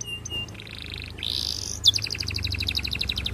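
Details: Courting canary, its song used to coax other canaries to sing: brief high chips, a buzzy sustained note, a harsh rising sweep, then a rapid high trill of repeated pulsed notes over faint low background hum.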